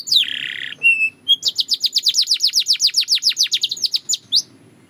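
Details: Belgian canary singing, offered as a daily training guide for canaries: a harsh buzzy note and a short whistle, then a fast, even trill of high, downward-sweeping notes, about four to five per second, ending on a rising note.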